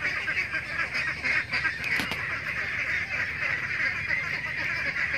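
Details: Flock of domestic ducks in a pen, with ducklings and laying ducks mentioned, giving a dense, continuous chatter of many overlapping calls without clear pauses.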